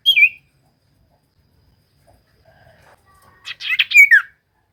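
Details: Common iora lure song to make reluctant birds sing: one short falling whistle, a quiet pause, then a rapid chattering flurry ending in a clear downslurred note.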